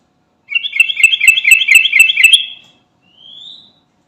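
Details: Sooty-headed bulbul, 'garuda' type, calling to companions: a two-second trill of rapid, buzzy repeated notes, then a short thin rising whistle.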